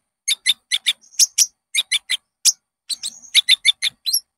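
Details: Caged-bird lure recording of a konin: quick, crisp high chirps repeated several per second, broken by brief thin whistled notes and a short buzzy trill, no other sounds.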